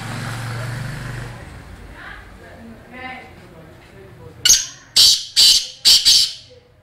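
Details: Black francolin, locally Kala Teetar, calling at Wah Cantt: after low murmuring voices, four loud harsh, grating high notes come in a quick rhythmic series near the end.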